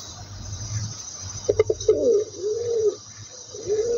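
A pigeon gives a few quick clipped notes, then low, soft, rolling coos that swell and fade, with a faint steady hiss behind.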